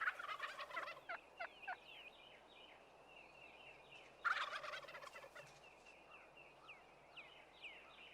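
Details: In spring courtship in America, Wild Turkey toms gobble in two loud, rapid, rattling bursts a few seconds apart to lure hens from the surrounding woods to a strutting arena, while thin, high chirps from other birds repeat.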